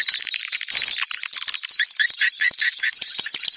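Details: Swallows twittering in high, bright chirps and short warbled notes, uneven in rhythm, layered over a constant high-pitched chatter.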